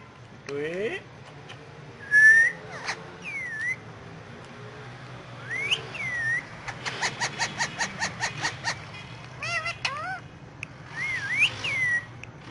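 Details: Pet Indian ringneck parakeet on pillows, talking in Urdu/Hindi: sharp rising and falling whistles, harmonic speech-like syllables, then a rapid even run of about ten clicking pulses, over a low steady hum.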